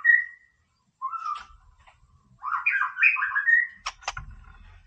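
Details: White-rumped shama singing to fire up a rival: a clear whistle, a pause, then a rich warbling run ending in sharp clicking notes over light low noise.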